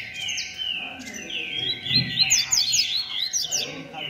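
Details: Rusty-collared seedeater of the 'beco' type in a singing contest: drawn whistles at first, then a loud burst of quick, sharp chirps, competing birds faintly overlapping.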